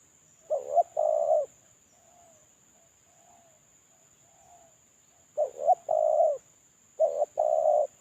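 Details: Captive spotted dove kept as a lure bird, moulting and calling alone, gives short hoarse coo phrases: a quick double note, then a longer steady coo. Three phrases with soft, quieter coos between them. A thin constant electronic whine runs throughout.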